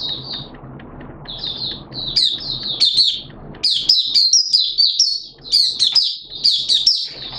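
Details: Malaysian Oriental white-eye (mata puteh), a kept hobby bird, recorded 21 June 2023, singing high, thin twittering phrases that come in quick bursts of sweet chirps and short trills, with pauses between bursts and faint low background hum.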